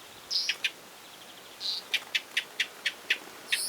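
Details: Northern wheatear fledgling chicks near their nest in Ryazan region, Russia, June 2023, give short, sharp ticking calls in a quick run of about six after a couple of thin high whistles, calls that let parents find and feed them.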